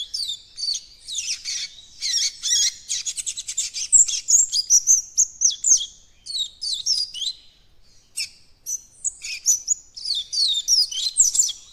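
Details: Young Double-collared seedeater (coleiro baiano) beginning to open its learned encarte song: rapid, jumbled high chirps and twittering notes in dense bursts, with brief gaps near the eighth second before resuming.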